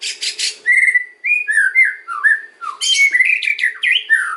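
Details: Kretekan and ocean song from a white-rumped shama, used as a lure for other shamas: a few harsh rasps, then a flowing series of clear, mellow whistled slurs and quick chattering notes.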